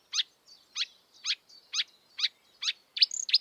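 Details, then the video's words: Marsh warbler (kerak basi) in the wild giving a series of sharp, descending high chirps at about three per second, with thin faint notes between them and a quick burst at the end. "kicauan merdu burung marsh warbler / kerak basi di alam bebas"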